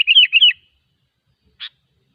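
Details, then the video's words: Sooty-headed bulbul in the wild: a fast, rollicking warbled phrase of looping whistled notes, then silence and one short sharp note. "suara burung kutilang ASLI ALAM LIAR"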